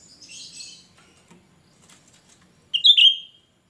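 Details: Cucak rante, described as gacor and suited for luring other cucak rante; soft scratchy chatter leads to one loud shrill call near the end, made of sharp piercing notes slurring downward, with faint low background rumble.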